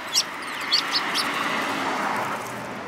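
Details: Several sparrows recorded in March 2018, giving a few short, sharp chirps that slide downward, spaced over the first second, over a steady background hiss.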